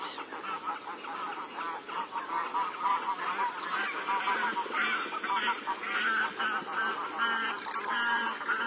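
A dense flock of Garganey keeps up a continuous chorus of nasal, honking quacks and dry rattles, many birds overlapping without pause.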